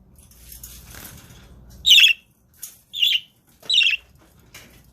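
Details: Male budgerigar guarding the eggs, keeping an approaching person away: three loud, sharp, scratchy chirps about a second apart, with faint rustling and wing movement before them.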